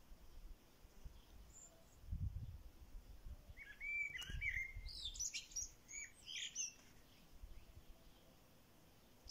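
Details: Small bird singing in a rural corral, heard faintly: a cluster of quick high chirps and thin twittering notes in the middle, with soft low background rumble before and after.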